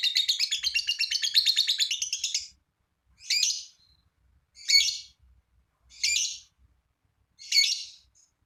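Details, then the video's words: Lovebird giving a long ngekek trill meant to prompt other lovebirds to sing: a dense, rapid, high buzzy chatter of about two and a half seconds, then four short harsh chirps spaced roughly a second apart. "lovebird ngekek panjang !! pancingan lovebird lain ikut bunyi"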